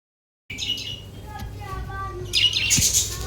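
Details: Budgerigars reunited after many days apart chirp and chatter in quick, bright bursts, with a louder warbled burst near the end.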